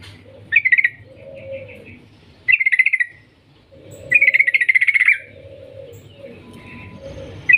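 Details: Yellow-vented bulbul lure call, long 'ngetir' trilling: short rapid pulsed phrases, then a longer one-second trill, alternating with faint lower droning tones and a steady background hum.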